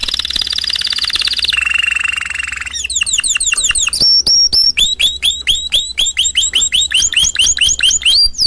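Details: Canary song from a 2016 song CD: a high rasping buzzy roll, a lower buzzy stretch, then fast repeated whistled notes that sweep down, speeding into a bright rapid trill of sharp chips.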